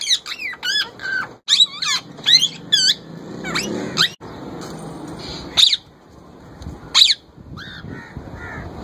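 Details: Young male plum-headed parakeet, a kept bird, trying to talk and copy an Indian ringneck parrot's voice: a varied run of harmonic squawks, bent whistles and sharp high notes, with pauses between bursts and a faint room hum.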